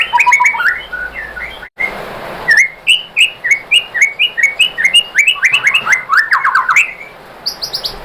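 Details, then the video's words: Provoking song of a white-rumped shama, aimed at making other shamas sing: busy mixed whistles, then an evenly paced run of short upslurred notes and a quick descending trill at the end. "bikin MURAI BATU jadi NYAUT GACOR BONGKAR MATERI ¦ PANCINGAN MURAI ¦ SHAMA BIRD"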